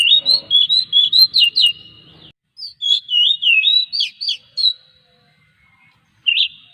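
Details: Oriental magpie-robin singing as a lure for other magpie-robins: a quick run of about nine clipped whistles, a second slurred, twisting phrase, silence, then one final whistled note.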